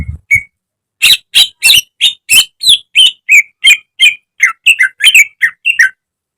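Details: Greater green leafbird singing for caged-bird training: after two short whistles, a steady series of loud harsh chirps and slurred whistled notes, roughly three per second, for about five seconds.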